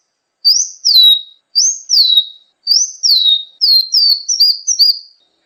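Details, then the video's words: Sunbird song used as a training recording for songbirds: clear high whistled notes, each sliding up then dropping in a curved sweep, repeated in pairs, then quicker clipped notes toward the end. "masteran burung gacoan, Kolibri"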